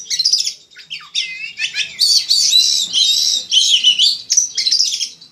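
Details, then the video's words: Kacer poci in ngobra style, master song of a winning Oriental magpie-robin meant for contests: shrill, energetic jumble of squeaky whistles, chattering trills and mimic-like notes, loud and almost unbroken for several seconds. "Masteran Burung Kacer Untuk Lomba"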